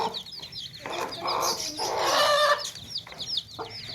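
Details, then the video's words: Hens clucking among baby chicks in a tokri, a woven basket: a drawn-out, raspy hen vocalisation dominates the middle, while high thin chick peeps repeat throughout. "Baby Chicks Chirping Sounds In Tokri | Chicken's Chicks Sounds and Chickens Clucking Sounds"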